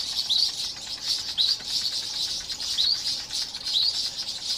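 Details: Garden birds scolding a male boomslang, a tree snake over 1 m long, raising the alarm to birds in the area; continuous high, harsh chattering with short rising chirps about once a second.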